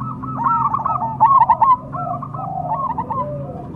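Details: Zebra dove known as perkutut cemani, an Indonesian contest cage bird, giving soft rolling coo phrases with a louder trilled burst in the middle, over a low background hum.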